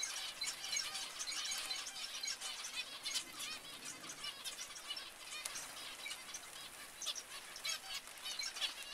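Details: Many zebra finches chattering together, a busy wash of short high nasal beeps and chirps, some louder notes standing out every second or so above the steady chorus.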